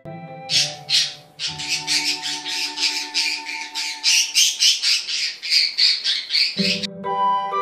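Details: A budgerigar gives harsh, raspy squawks in a quick run of about three to four per second over steady background music; happy squawking, expressing happiness and contentment.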